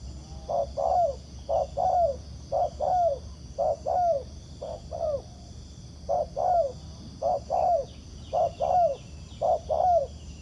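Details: A wild spotted dove coos back at a decoy during trapping: a quick short note followed by a longer sliding-down coo, about once per second, with faint chirps and a steady high hum behind.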